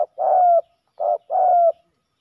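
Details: Fighting male spotted doves at a ground decoy give loud, low, burry coos: a long drawn-out coo, then a short coo followed by another long, gently falling coo.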